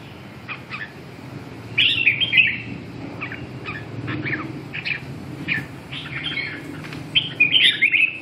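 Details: Red-whiskered bulbul singing during voice training: short warbled, chirpy phrases scattered irregularly, louder bursts near two and seven and a half seconds, with a steady low background hum.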